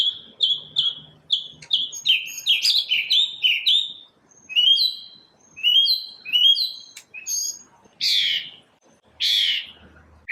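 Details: A single bird singing in the morning: a quick, varied run of short whistled chirps, many slurring downward, ending in a louder rich burst and a final lower note.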